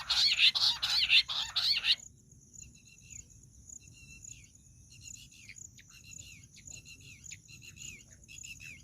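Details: Jungle bush quail calling, a sound used in hunting: two seconds of loud, harsh chattering bursts, then quieter, well-spaced chirps and downslurred notes over a constant, thin high tone.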